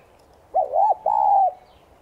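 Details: Morning call of a spotted dove kept as a lure bird, subspecies tigrina: a quick rising pair of coos running into a long, level then gently falling coo, soft and hollow.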